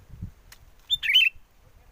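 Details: One short, gurgling, slightly descending phrase from a sooty-headed bulbul used as a trapping lure, after low rumbling noise from strong wind.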